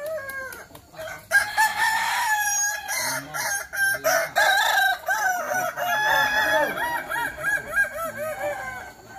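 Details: Kukuak Balenggek roosters competing in a practice crowing event in Sawah Lunto. A short crow at the start is followed by a dense, continuous chorus of long, bouncing, stepped crows from several birds.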